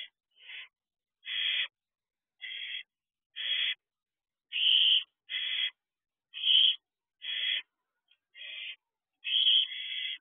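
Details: At a barn owl nest box shortly after midnight on 3 June 2023, owlets give repeated raspy, breathy screeches, irregularly spaced about a second apart, some louder and longer, others short and faint.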